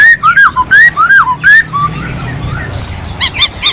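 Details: Masked laughingthrush, singing actively, giving loud whistled notes that rise and fall around a slurred phrase, repeated roughly every half second, then a pause and three harsh, buzzy rasping notes near the end.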